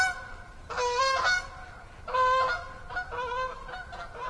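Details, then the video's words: Loud nasal goose honks, about three grouped bursts in four seconds, recorded on the evening of 6 October 2014 at Assabet River National Wildlife Refuge in autumn. "Autumn Evening with Beaver, Geese, Katydids and Others"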